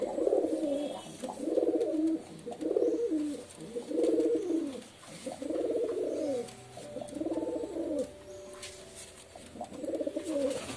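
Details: Pigeon giving deep, rolling coos in distinct phrases roughly every one to one and a half seconds, a steady throaty burble with faint background hiss.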